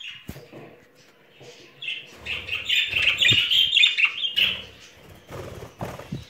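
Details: Pet budgerigar pair in spring courtship: soft scratchy twittering warble building to a sustained run of buzzy chirps, with faint knocking sounds.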